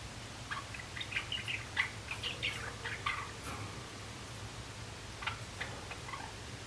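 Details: A young male Java sparrow, practising its song in April 2016, gives soft, halting runs of clicks, chips and short buzzy notes in uneven bursts, over a steady low hum.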